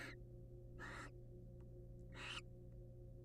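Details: Three short, breathy hisses, spaced about a second apart, from wild barn owls in a nest box as the male brings the female a mouse, over a quiet electrical hum.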